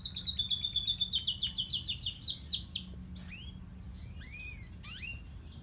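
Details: Two canaries, one grey and one crested, singing: a fast, rhythmic high trill of repeated notes for about three seconds, then separate sweeping and slurred whistles over a low steady hum.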